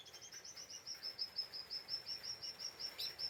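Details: Lesser green leafbird, excited and restless, giving ngeriwik chatter meant to provoke other birds: a steady, even string of thin high notes, about three a second, softly heard over a constant background hiss.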